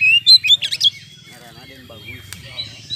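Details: Oriental magpie-robin singing to provoke other birds to fight: rapid bright whistled and squeaky high notes in the opening second, then quieter twittering over a low human voice.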